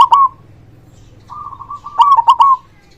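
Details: Local zebra dove with a loud voice, used to prompt silent doves to sing: a short stuttered, trilled coo at the start, then a level cooing note rising into a burst of quick rolling coos.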